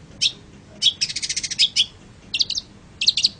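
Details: Long-tailed shrike, recorded as a training track for other birds: a fast, even run of about ten sharp chips, framed by single notes and short doubled chattering bursts.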